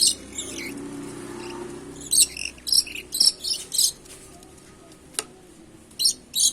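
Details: Red-and-black lory, a bird offered for sale, giving short, harsh, high-pitched chirping calls in bursts of four to six notes with pauses between; faint background hum.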